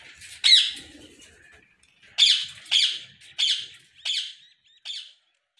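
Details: A single grating squawk, a pause, then five evenly spaced harsh calls about two-thirds of a second apart, from ringneck parakeets in a Pakistani breeding colony with nest boxes, 2022.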